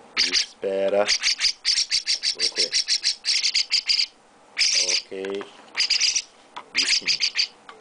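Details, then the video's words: Young chestnut-cheeked starling being hand-fed by its owner, giving long runs of harsh, high, rasping chirps almost continuously, broken by short pauses, while a person talks softly at intervals. "Chestnut-Cheeked Starling baby mukudori carinho"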